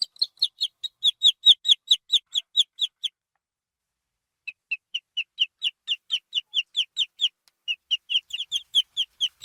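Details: Baby chicken chick giving soft, high, repeated peeps in fast regular series, a short pause in the middle, then more steady cheeping in a quiet setting.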